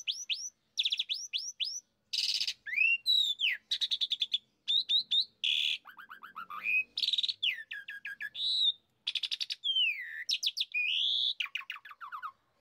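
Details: Jalak suren, the Asian pied starling, in a lure recording used to spur kept starlings into full song: long run of sharp whistles, harsh buzzy bursts, slurred rising and falling notes and quick chattering trills.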